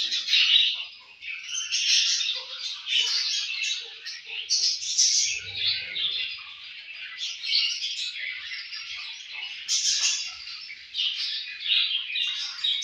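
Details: Several pet budgerigars eating and playing together give continuous high-pitched warbling chatter: fast twittering notes, squeaky chirps and scratchy trills overlap without pause, rising and falling in loudness throughout.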